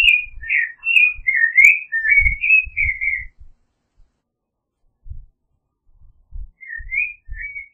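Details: Creamy-bellied thrush, also called zorzal chalchalero, singing: a run of short warbled whistled phrases, rising and falling, delivered rapidly for about three seconds, then after a pause two more brief whistled notes; low thumps faintly underneath.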